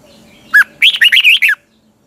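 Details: A single morning song phrase from a caged red-whiskered bulbul, sung for training birds: a clear opening note followed by a rapid run of bright, twisting whistled notes.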